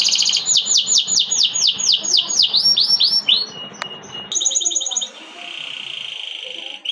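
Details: Canary singing a string of about ten looping downslurred whistles, a sharp click, then a fast high trill and a softer sustained buzzy warble that fades near the end.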